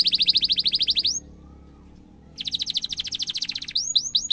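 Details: Singing canary used as a lure to train young canaries, a long 'cuit cuit' song: fast rattling trill of high notes, a pause, then another dense trill ending in upswept whistled notes.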